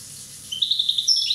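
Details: Short burst from a one-year-old Corsican European goldfinch: a quick run of evenly spaced high tinkling notes, then a brighter twittering flourish.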